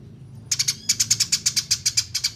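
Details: Eurasian tree sparrow training recording for songbirds: a fast run of bright, sharp chirps, roughly six per second, repeated evenly after a brief opening triplet, with a faint low hum underneath.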